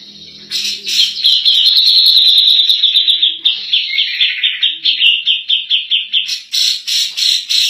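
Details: Cak jenggot, the grey-cheeked bulbul, in continuous 'nembak' song meant for tutoring other birds: a sustained high rattling trill, followed by a quick series of sharp, evenly pulsed notes repeated about twice per second.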